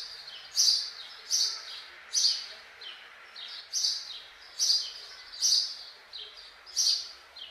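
A house sparrow gives about nine bright, harsh chirps, one roughly every 0.8 seconds, over a faint background hiss.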